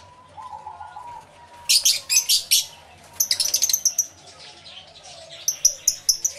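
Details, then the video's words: Lovebirds chattering in an aviary, live stereo recording: groups of sharp, piercing chirps in quick series separated by pauses, over faint whistled background tones. "1 Hour Lovebird Sounds Aviary Series V1"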